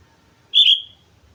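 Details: Sooty-headed bulbul, singing actively, from Mount Slamet: a single clear whistled note, bright and slightly falling, trailing off after about half a second against a quiet background.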